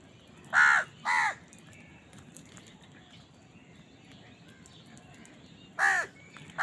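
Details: Caws from a house crow eating and fighting for food: a pair of rasping arched caws, a quiet gap of several seconds, then two more caws at the end.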